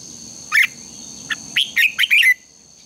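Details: Red-whiskered bulbul contest song, played as a morning training lure to stimulate birds: a sharp twisting note, a short chip, then a quick run of four bright, slurred, whistled phrases, with a constant thin high hum behind.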